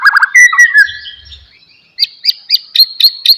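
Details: White-rumped shama singing to stimulate an idle bird: fast low warbled notes and a falling whistle, then a steady series of sharp high notes about four per second.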